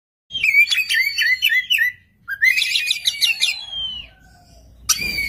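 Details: Oriental magpie-robin singing in full voice from one spot, prompting another magpie-robin to answer; clear whistled phrases and rapid trills sliding between notes, two bursts of song with a short pause, then a harsh note at the end.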